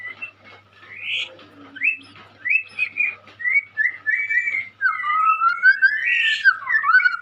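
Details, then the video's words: Young white-rumped shama singing: a run of upslurred whistles, each a little different, building into a longer flowing passage of sweet, looping whistled notes. "Burung Murai muda gacor calon juara"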